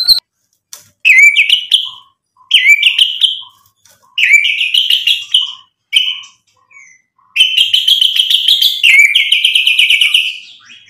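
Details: White-rumped shama, a lure recording meant to make other birds answer, sings separate bursts of upslurred whistles and buzzy chatter with soft low chips in the gaps, ending in a long, rich warbling phrase.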